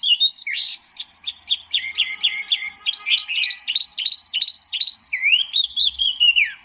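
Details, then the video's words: Tieu mi or wambi mini, a white-eye, in song: a long fast chain of sharp repeated chirps and slurred notes, ending in a sustained wavering warble. "kicau burung tieu mi atau wambi mini"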